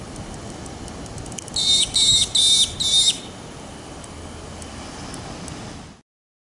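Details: A Magpie-lark (peewee, Grallina cyanoleuca), walking and pecking at grass, perhaps eating ants, gives four quick, loud, high whistled notes in about a second and a half, over a steady murmur of background noise.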